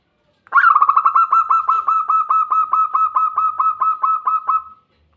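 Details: Zebra dove (perkutut) song: a long, even string of about eighteen rapid, pulsed cooing notes at a steady mid pitch, lasting around four seconds against a quiet background.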